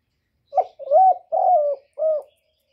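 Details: Spotted dove cooing: a short opening note, then two long, smooth, slightly wavering coos and a shorter closing coo, a low mellow four-note phrase over about two seconds in a quiet setting.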